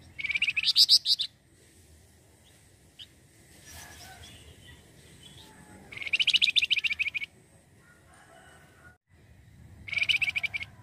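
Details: Lively flamboyan bird song used as a lure for catching wild birds: three separate bursts of fast, high, rattling chips, spaced several seconds apart, with faint background hiss between them.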